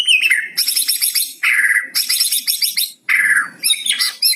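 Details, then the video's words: White-rumped shama song carrying cucak cungkok phrases to coax quiet shamas into singing: dense bursts of high chattering notes alternating with lower, descending, slurred whistles. "MURAI BATU ISIAN CUCOK CUNGKO"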